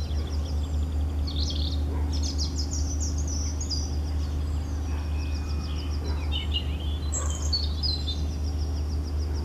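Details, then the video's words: European robin song: jumbled high twittering phrases with a few clear whistled notes, separated by gaps, over loud continuous low-pitched rumbling noise. "Rotkehlchen singt - Gesang Robin singing"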